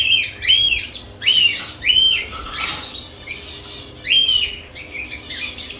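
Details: Lovebirds active around newly added nest boxes, giving harsh, buzzy chirps and squawks in quick bursts, several overlapping, with short rising and falling notes repeated through the clip indoors.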